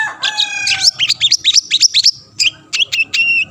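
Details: Long-tailed shrike (cendet) singing to provoke rival shrikes: a drawn-out tonal note, then a fast string of chirping mimic-like notes with sharp frequency sweeps, a short pause, and a few clipped whistles.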